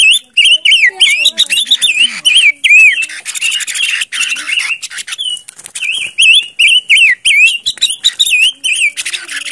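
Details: Silver-eared mesia lure song: loud, clear whistled notes that bend up and down, repeated in lively bursts across the recording with brief pauses between groups. Sharp clicks are heard between the phrases.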